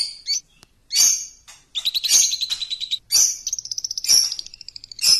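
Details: Champion lovebird lure song. Loud harsh screeching notes are mixed with bursts of rapid high chirping trill and sharp squeaks, in an excited, uneven sequence.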